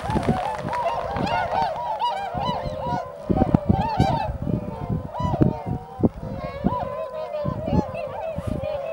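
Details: Flock of tundra swans gathered at Shiotsuhama on Lake Biwa in early March, shortly before migrating north, giving a dense chorus of mellow, bugling honks, many overlapping and repeated without pause; faint background noise throughout.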